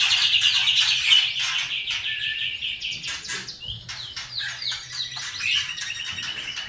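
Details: Song of a white-rumped shama in kretekan and trotol style: a fast rattling phrase at the start, then varied quick chirps, rising and falling whistles and short trills.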